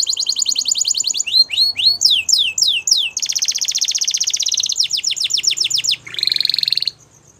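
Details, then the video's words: Song of a male Belgian canary: looping whistled sweeps, then a long rapid rattling trill, a series of steep descending notes and a short buzzy roll before the bird falls quiet. "Canary Sounds Male | Belgian Canary Singing"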